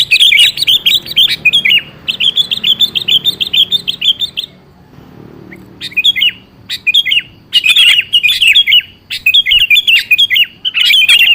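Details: Sooty-headed bulbul song used as a lure for a bird that rarely sings, to draw an answer: bright, bubbling whistled phrases, each about a second long, repeated in quick runs with a short pause midway.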